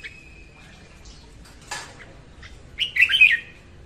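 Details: Female red-whiskered bulbul singing in the morning, used to train birds and lure them to traps: a thin held whistle, a sharp click, then a loud jumbled warbling phrase near the end.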